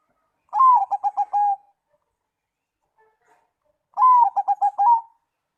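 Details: Song of a zebra dove, the kind that draws answers from other doves: two crisp phrases a few seconds apart, each a slurred opening coo then a run of quick rhythmic pulses, otherwise quiet.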